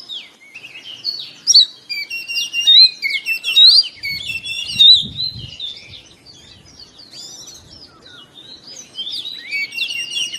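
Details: Oriental magpie-robin in the morning, used as therapy to get caged birds singing: dense, varied whistled phrases and chattering notes in quick succession, with a brief low rumble in the middle.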